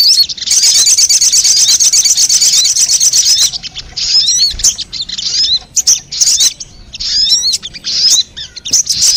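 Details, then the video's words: High buzzing sogon trill lasting several seconds, used as a lure for wild birds, followed by jumbled sharp chirps and sweeping squeaks. "Suara pikat burung sogon 💯% bikin sogon liar berdatangan"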